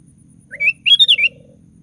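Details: Bubbling sooty-headed bulbul phrase, several rapid warbled notes rising then falling, from an energetic singer used to provoke other bulbuls to sing; a low buzzing trill runs alongside.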